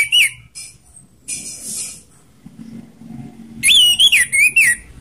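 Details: An orange-headed thrush sings a mix of harsh and slow song: loud, clear whistled phrases wobbling up and down, harsh scratchy bursts between them, and a burst of rapid sweet notes at the end.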